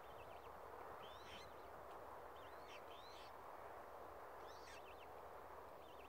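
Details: Several high peeps and squeaky, rising-then-falling notes from Australasian swamphen chicks at Tamar Island Wetlands, some in quick pairs or short trills, spaced irregularly across a few seconds against constant wetland hiss.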